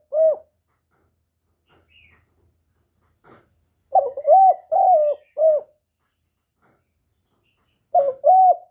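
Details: Loud calling of a young male spotted dove, used to stir other doves into calling. Short, hoarse-edged coos come in clusters: a lone note, then a tight run of four midway, and a pair near the end. No other sounds.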